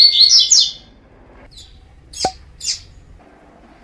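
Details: Double-collared seedeater singing in the fibra style, used as a training recording: a quick phrase of bright, high, slurred notes. Isolated sharp chips follow at intervals, with light background hum.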